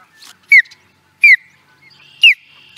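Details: Osprey at Charlo, Montana, USA, 2017, giving loud, clipped, descending whistled chirps spaced about three-quarters of a second apart, with a thin steady hum between notes.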